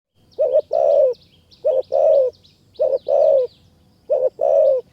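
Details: Wild spotted dove in high mountain forest near Kanchanaburi, Thailand, approaching a decoy bird. It gives paired low cooing phrases, a short note then a longer rolling coo, repeated about every 1.2 seconds, with faint rural background.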